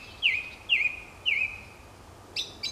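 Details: Song thrush singing on a woodland walk in early spring as hazel catkins flower, repeating a bright, down-slurred whistled phrase three times at half-second intervals, then switching to a new, higher note and repeating it.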